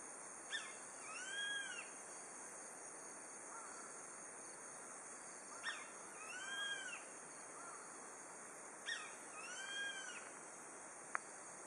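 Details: Grey-faced buzzard calling in autumn at dusk from a mountain pass at Nishiamuro, Kakeroma Island, Setouchi, Amami Oshima, the first heard this autumn. Three calls, each a sharp short note then a slurred, arched whistle, about every four seconds over steady insect hum.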